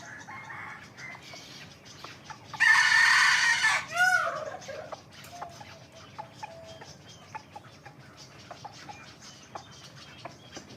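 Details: Young hybrid Indian junglefowl crowing in the morning: a loud, harsh, broad burst lasting about a second, then a quick falling harmonic note. Softer calls and clicks are heard faintly in the background.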